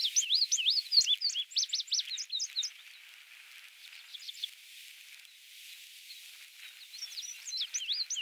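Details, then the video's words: A male Indigo Bunting sings at Goose Lake Prairie, Illinois, on 29 May 2016: bright, high, sweet notes in quick paired phrases, a burst of song, a pause, then another phrase begins. "INDIGO BUNTING male singing"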